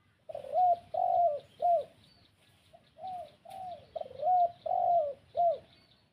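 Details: Lure spotted dove cooing to attract wild spotted doves. It gives repeated three-note phrases of low, rounded coos, each phrase short-long-short, heard twice with a short pause between, over faint distant chirping.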